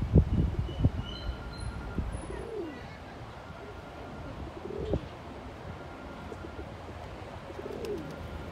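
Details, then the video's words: Courting male pigeon, neck feathers raised while dancing and guarding its territory, gives low arched coos in separate bouts against a steady outdoor background hum, with a few sharp knocks near the start. "꾸꾸루의 구애"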